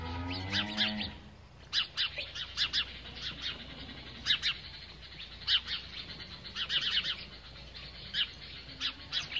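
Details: House sparrows feeding, giving short bright chirps in irregular bursts, several per second at times, over a low steady background hum; a brief harmonic, musical-sounding tone opens the recording before the chirping begins.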